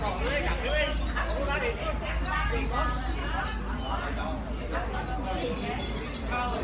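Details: White-eye, a recently caught bird stimulated to sing fast, gives a continuous thin, high twittering while louder human talk and chatter fill the lower range.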